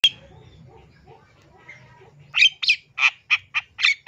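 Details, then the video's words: Long-tailed shrike from East Java in full mimicry song, used as a tutoring and lure recording. A quiet, murmuring start gives way to a run of loud, harsh, buzzy notes repeated about four times a second. "CENDET JATIM SUARA FULL ISIAN MEWAH SANGAT COCOK BUAT MASTERAN PANCINGAN CENDET JENIS APAPUN"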